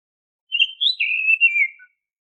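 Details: Oriental magpie-robin whistled song, used as a lure to get untrained caged magpie-robins singing: one sweet slurred phrase of about one and a half seconds that climbs, wavers, and slides down at the end, on a silent background.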